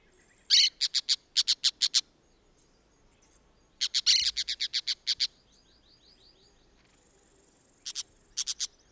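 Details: A pair of orange-chinned parakeets in Costa Rica, filmed with a Fujifilm camera, giving sharp, scratchy chips in rapid bursts: six or seven in the first two seconds, a longer run around four to five seconds, then a short trio near the end.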